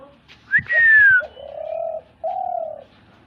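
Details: A sharp whistled sweep falling in pitch, followed by two smooth, level low coos from a dove associated with hunting.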